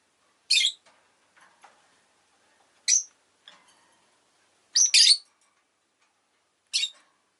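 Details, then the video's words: Rosy-faced lovebird uttering sharp, shrill, high chirps singly or in a quick pair, spaced about two seconds apart, with faint soft clicks and rustles in the gaps. "Lovebird Chirping Sounds"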